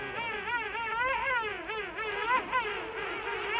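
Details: King penguins (Aptenodytes patagonicus) in a huge rookery among tussac grass on a steep slope at Salisbury Plain, South Georgia, trumpeting with many overlapping wavering, rich-toned calls that rise and fall in quick warbles over a steady murmur.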